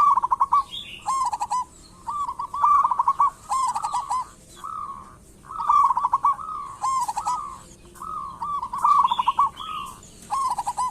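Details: Zebra dove (local perkutut) lure recording to get doves singing quickly; rolling trilled coo phrases repeated about every few seconds, overlapping callers, and occasional higher chirps.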